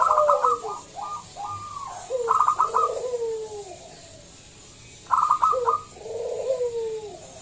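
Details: Zebra dove of the local type, a loud singer used to coax other doves into singing; staccato clipped bursts each followed by purring coos that slide downward, the phrase repeated twice.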